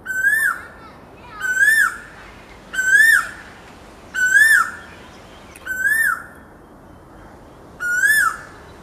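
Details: Asian koel (Eudynamys scolopaceus), call.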